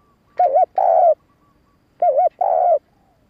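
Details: Cooing of a spotted dove used to attract and excite males: two phrases about 1.6 seconds apart, each a wavering double note followed by a longer, smooth, falling coo.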